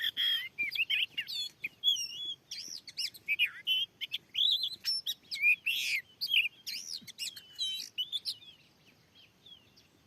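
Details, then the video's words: Oriental magpie-robin, wild and called very aggressive, in a newly set-up field reacting to a lure: a rich, continuous song of loud whistles, warbles and harsh bursts, fading near the end. "Teryata dilahan yg baru steling ini ada burung Kacer yg sanggat ganas"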